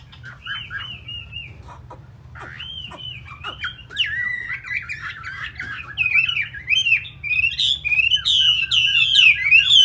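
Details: Hanoi hwamei, a loud singer said to fight well, starts with soft looping whistles that build into a dense, fast run of bright warbled phrases, growing louder toward the end.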